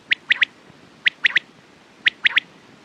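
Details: Three clean quail phrases about one second apart, each a sharp single note then a quick double, loud and clear against a quiet background.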